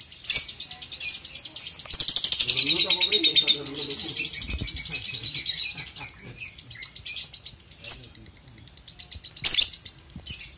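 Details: Balibu lovebird recorded as training sound for juniors: a sharp chirp, then a fast high chattering ngekek with a descending whistled thread, lasting about four seconds, followed by sparse single chirps.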